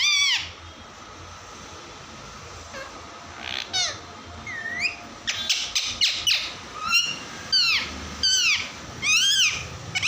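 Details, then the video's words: Pet parrots playing at home: a long run of varied squawks, short chirps and bent whistled notes that come in quick irregular bursts, growing busier in the second half. "Mitthu tota ki awaaze | Funny parrot talking video"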